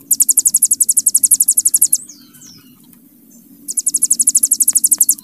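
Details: Hill prinia trilling in 'bren' style: a fast, high, pulsed series, a pause holding a couple of soft descending chirps, then the rapid trill resumes.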